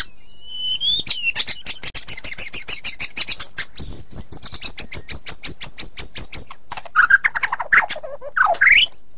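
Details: Singing white-rumped shama: a high whistle opens a long, rapid rattling roll of repeated notes, ending in a few lower rich slurred whistles.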